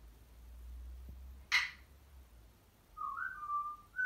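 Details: Pet African grey parrot indoors, chattering when left alone: a sharp click-like burst, then a pure whistled note wavering and falling, with a new whistle starting at the end.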